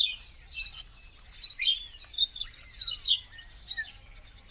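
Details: Common starlings in a big winter flock in India, the migrants having returned: shrill, high overlapping chatter and squeals from many birds, a few drawn-out falling whistles among them.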